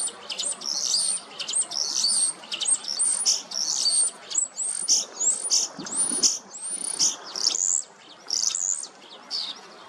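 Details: A male common starling sings a busy, high jumble of whistles, clicks and wheezy rattles with almost no pause, from a low perch near a female, on a sunny 12 March 2026 in Hrodna city, western Belarus.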